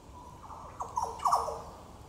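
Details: Yellow Oriole, Goomboora Park in Cairns, Queensland, Australia, 9 September 2022: soft lead-in notes build to a cluster of loud, mellow, descending slurs, ending on a fuller bubbling note.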